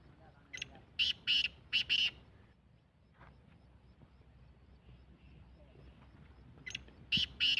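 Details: Black francolin calling twice: a grating phrase of five short, harsh, raspy notes, a long pause of about four seconds with only faint background hiss, then the same harsh five-note phrase again.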